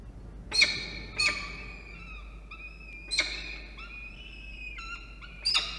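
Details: Peregrine falcon chick at a nest box atop a water tower in Orange, NSW, Australia, 24 October 2021 around 12:17 PM, as the mother feeds it after the father brings a starling: drawn-out high harmonic wails, some bending downward, broken by sharp clicks.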